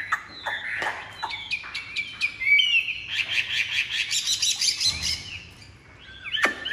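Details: A caged Chinese hwamei with white wing feathers pours out a rich, fast song of clear whistles, trills and sliding notes, building into a dense warbling stretch before a sharp final note.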